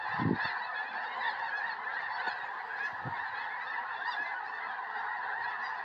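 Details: Snow geese in their hundreds over a Tennessee yard and field, 21 January 2026, before a historic snowstorm; a steady wall of mingled honking from the flock, with a few low knocks.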